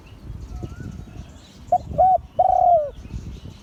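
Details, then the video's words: One phrase of Liu Tan style crowing from an auspicious-line spotted dove: a short coo, a slightly longer one, then a long hollow note that sags at the end, over low noise. "เสียงขันนกเขาใหญ่ # หลิ่วตัน # นกเขาใหญ่สายมงคล"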